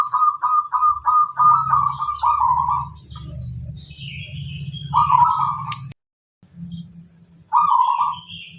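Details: Local zebra dove master bird singing vigorously: a quick series of short pulsed coo notes running into a rolling trill, then two further trilled phrases, over low rumbling noise and a brief silent break.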